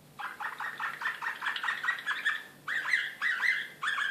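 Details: Serbian Slavujar canary in Belgrade, 2016, singing excitedly: a fast train of short, even chirped notes, a brief pause, then louder rolling phrases of upswept syllables repeated nearly twice a second.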